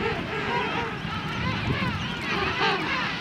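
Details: King penguin colony in South Georgia: a dense, overlapping din of wavering, trumpet-like warbles from many birds, over a constant low rumble of wind or surf.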